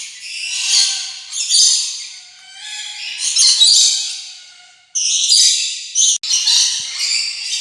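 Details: Rainbow lorikeet chatter of rasping, noisy screeches in several pulsing bursts, rising and falling in loudness, with a louder burst near the end.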